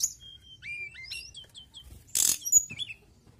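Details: Mountain tailorbird singing: a run of thin, evenly spaced whistled notes stepping up and down, then a loud hissing rustle and a few more chirps.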